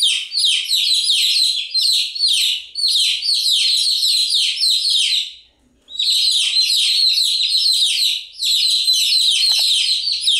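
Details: Continuous chirping from a group of chicks: rapid, shrill, falling peeps massed into a steady chorus that briefly drops out around the six-second mark.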